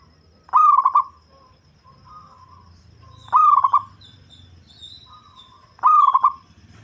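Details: Local zebra dove noted for a deep bass voice and suited to luring, repeating a short burred, pulsing coo three times at even gaps of roughly two and a half seconds, with faint high chirps between.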